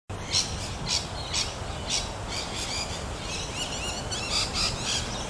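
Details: Rainbow lorikeet at Wattle Park, Melbourne, Victoria, Australia, on 11 August 2021: harsh, shrill screeching notes repeated roughly twice a second, irregular, with a few thinner chirps between them over soft outdoor background noise.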